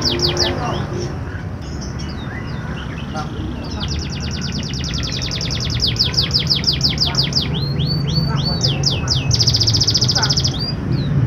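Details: Canary singing as a lure to prompt lazy canaries into song: scattered high chirps, then long rapid trills, a run of downward-sweeping whistled notes, and a closing buzzy fast trill, over low rumbling background noise.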